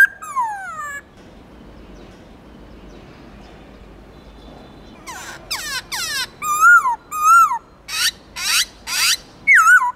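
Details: Black-throated laughingthrush wild-style song: a brief falling whistle, a quiet pause, then sharp clicking bursts mixed with short whistled notes.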